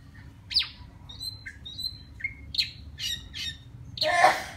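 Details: Wild white-rumped shama singing to call a female: scattered clear whistled notes, some sharply rising or falling, others short level whistles, ending in a louder harsh, buzzy burst.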